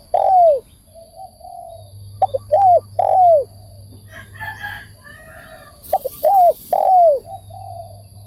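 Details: Spotted dove, described as a decoy bird, giving repeated cooing phrases, each ending in a falling, rounded coo, in bursts a few seconds apart. Faint mixed chatter and a steady low hum lie underneath.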